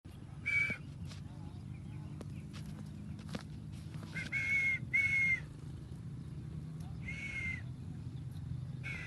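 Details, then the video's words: Talking parrot: short harsh vocal bursts with banded, speech-like structure, a few in quick succession then pauses, over a steady low hum and scattered clicks. "Parrot Voices - Talking Parrots"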